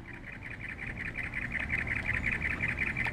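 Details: Pair of cactus wrens together in courtship, one giving a steady series of harsh, chugging mid-pitched notes, about three per second, growing slightly louder, over faint low background rumble.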